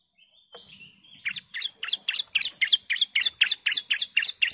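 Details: Female bar-winged prinia calling the male: a thin drawn-out note opens, then a fast, even run of sharp chipping notes, about four each second, building in loudness.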